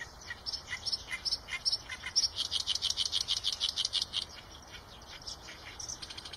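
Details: Eurasian tree sparrow chatter: loud, fast, evenly spaced high chirps for about four seconds, then a few faint chirps near the end over soft background hiss.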